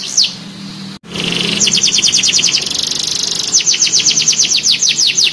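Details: Young canary learning to sing, replying at once: a single sweep, a brief gap, then a buzzy high trill followed by a run of evenly spaced falling notes.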